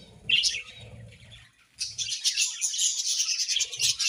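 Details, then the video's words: Budgerigars during the breeding season twitter in high chirps, briefly quieter after an opening burst, then a dense run of overlapping warbled chatter with soft low thuds. "𝑳𝒐𝒗𝒆𝒍𝒚 𝑩𝒖𝒅𝒈𝒊𝒆𝒔 𝑪𝒉𝒊𝒓𝒑𝒊𝒏𝒈 𝑺𝒐𝒖𝒏𝒅𝒔"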